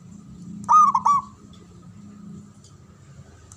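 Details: Local Javanese zebra dove known for a loud, long-breathed voice that prompts rivals to reply. One clear burst of three quick, hollow coos is followed by quiet low hum, with the next phrase just beginning at the end.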